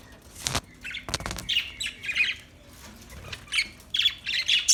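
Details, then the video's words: Budgerigar giving scratchy chirps and squawks in irregular clusters, broken by two sharp broadband clicks or bumps early on. "Beautiful Budgie Beautiful birds Chirping Sounds"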